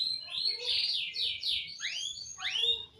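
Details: Male canary singing, loud and close: a quick run of bright buzzy notes followed by sweeping whistles that rise sharply, then a final rising swoop, with faint low background rumble.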